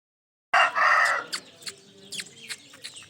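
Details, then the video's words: Pet ringneck parrot giving a loud, harsh, raspy screech of about half a second, followed by scattered short clicks and faint chirps. "amazing sounds of my Ringneck parrot"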